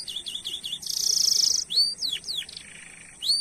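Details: Canary song used as a lure to get other canaries singing: quick looping whistles, then a dense high buzzy trill, sharp swooping slurred notes and a lower churring phrase.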